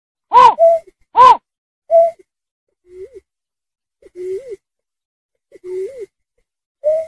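A snipe gives two loud, harsh, rasping notes, then a series of soft, low, rising-and-falling hoots about every second and a half.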